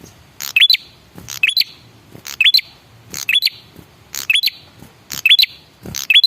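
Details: Male red-headed prinia (prenjak kepala merah) used as a lure call to make other birds reply: sharp dry clicks, each followed by a short rising whistled note, repeated about once a second.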